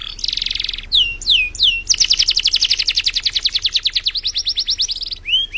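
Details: Canary master song for teaching other birds, in vigorous 'gacor' style: a buzzy trill, three sharp down-slurs, then a long steady rolling trill of rapid pulses and a final rising whistle.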